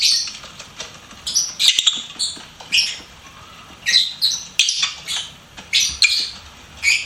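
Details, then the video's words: Pet lovebird singing and chirping: a run of shrill, high squawky notes repeated roughly every half second to second, each a harsh, bright burst with little else heard. "LOVEBIRD SINGING & CHIRPING SOUNDS"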